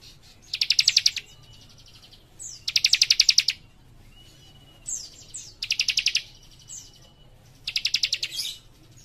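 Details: Young leaf warbler in lively song with close-packed phrases: four rapid, buzzy high trills, each about half a second, repeated every two seconds. Sharp downslurred whistles sit between them over a steady low hum.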